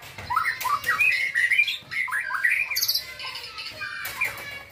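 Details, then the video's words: Young white-rumped shama, a contest bird, pouring out quick warbling whistled phrases that rise and fall, with a brief high hiss in the middle. "Murai batu gacor pastol ,burung lomba,dunia kicau"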